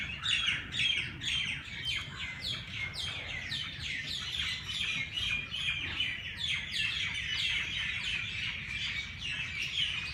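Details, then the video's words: Many birds at dawn in Lahore's Race Course Jilani Park, chattering in quick, repeated high chirps, roughly two per second, forming a steady, busy chorus without pause. "Birds sounds Chirping at race Cource Jilani Park Lahore صبح سویرے پرندوں کی پیار بھری باتیں"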